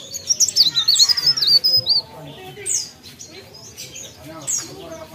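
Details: Mountain leaf warbler delivering a fast, high, trilling warble for about two seconds, followed by a few scattered single high notes.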